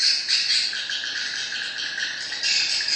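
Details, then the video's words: Swiftlets calling in a dense, continuous twitter of high, overlapping chirps and trills, with louder bursts at the start and near the end. "Am thanh chim yên"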